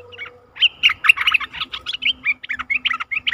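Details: A bulbul decoy bird, recorded 11 August 2021 while luring a very old wild bird, sings rapid, bubbly chirps and short whistled phrases, mostly mid-to-high pitched, tumbling one after another with hardly a pause.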